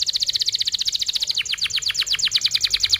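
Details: Canary singing a long, tight roll for young canaries to learn from: a fast, even trill of high pulsed notes that shifts midway into a slightly lower, deeper-swept trill, continuing without pause.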